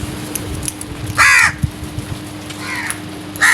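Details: Early-morning crow giving loud, coarse caws, one long drawn call, a fainter one later, then another starting at the end, over a low steady hum.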